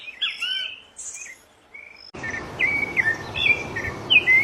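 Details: Wild rufous-bellied thrush in Brazil singing whistled, slurred phrases; midway a steady hiss and broad background noise begin, under quick downward-sliding whistles.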